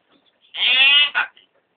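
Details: Talking hill myna mimicking people, having learned the cries of vendors passing the house each day. Gives one drawn-out, harmonic, nasal syllable followed by a short clipped note, in near silence.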